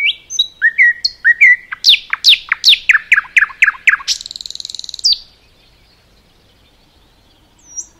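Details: Common nightingale singing in a forest: clear whistled notes, then a run of loud descending strokes repeated about three per second, ending in a harsh buzzing rattle before silence.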